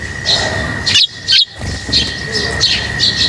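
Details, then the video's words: Lovebirds chirping while being fed: bright, high, short chirps in quick irregular bursts, with a steady high-pitched whine running underneath throughout. "Feeding birds, their chirping is very relaxing"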